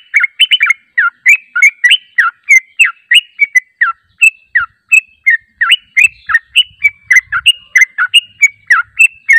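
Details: Continuous yellow-vented bulbul song meant to provoke a response from other birds: cheerful, liquid, downslurred and upslurred whistled notes tumbling out about three per second, clean and with hardly any background noise.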